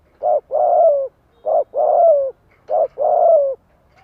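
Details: Decoy spotted dove singing to draw wild doves into calling back, giving three soft coo phrases, each a brief note followed by a drawn-out descending coo, roughly every 1.3 seconds.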